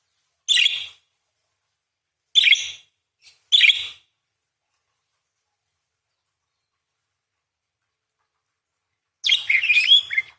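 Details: Parakeet in lively voice, long chattering song offered as a training recording for other songbirds: three clipped, shrill chirps close together, a pause, then a longer scratchy warbling burst.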